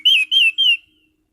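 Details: Caged orange-headed thrush sings three loud, clear whistled notes in quick series, each rising slightly then falling, over a faint steady hum.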